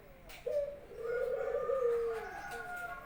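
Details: Pet Barbary dove kept at home, calling vigorously as it greets its owner returning from work: one long, smooth, mid-pitched coo, held steady for nearly two seconds and fading at the end, in a quiet room.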